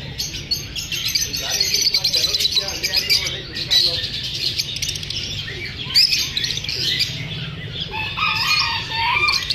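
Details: Lovebirds chirping and squawking after feeling unsafe while being recorded; a long run of dense, high twitters, harsh squawks and occasional lower warbling notes.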